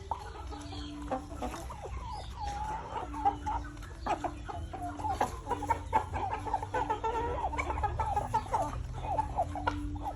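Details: Chickens with chicks, giving steady soft clucks mixed with many high, rapid peeping notes, a busy continuous chatter, with a faint steady tone underneath.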